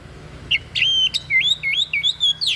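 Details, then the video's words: Odd song of a white-breasted bird, meant as a tutor recording for song training: a quick chain of looping, whistled notes and squeaky upslurs, each separated by short gaps, with faint low hum behind. "SUARA ANEH SI DADA PUTIH, BAGUS BUAT MASTERAN"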